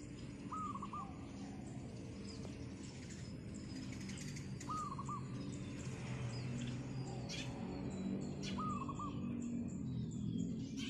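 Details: Wild zebra dove singing on a roof of tiles in the morning: three short, rolling, trilled coo phrases, spaced about four seconds apart, over steady low rumbling background and scattered high chirps of other birds.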